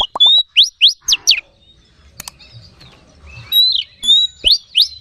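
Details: Oriental magpie-robin song used as a lure to excite other magpie-robins: quick series of sharp rising whistled notes, then a pause with a faint click, then more clear whistles and upslurred chirps.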